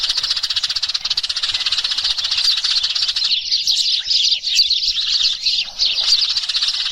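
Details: Sparrows calling to gather the flock, used as lure sound; a fast, buzzing stream of rapid chirps gives way after three seconds to a jumble of looser, higher twitters from many birds.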